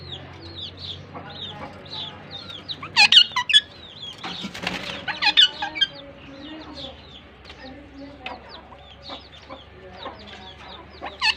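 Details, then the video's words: A pair of pet Pakistan ringnecks chirping as they interact with each other: a busy stream of short, high chirps and squeaks, with a few louder bursts and brief wing flutters. "Pakistan Ringnecks Talk and Dance with Each Other || in like you chirping sounds in pair"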